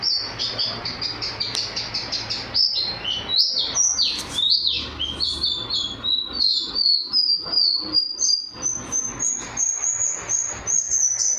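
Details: Champion white-eye, a national winner with a thunderous voice and a song full of canary imitations: a fast, continuous run of high, sharp chirps, slurred whistles and trills, steady and loud throughout.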